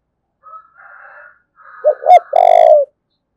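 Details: A single thúc bổi phrase by a spotted dove from Đồng Nai, Vietnam: two brief rising notes then a long, rich low coo, preceded by a faint higher wavering sound.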